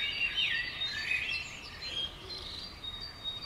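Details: Common swifts flying at and around a house on June 5, 2011: shrill, thin screaming trills sweeping up and down in rapid overlapping bursts for about three seconds over faint hiss.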